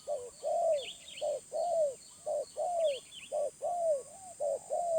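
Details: Wild spotted dove, middle-voice type, giving repeated coos. Each short note leads into a longer, gently falling one, in a steady rhythm of roughly one note per second. Twittering birds sound high in the background.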